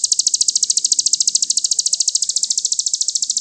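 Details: Sogon, the crested jay, gives a loud, steady rattle for songbird-training master audio: shrill, evenly spaced pulses in a continuous burst, slight shift in rhythm near the end, quiet low hum beneath.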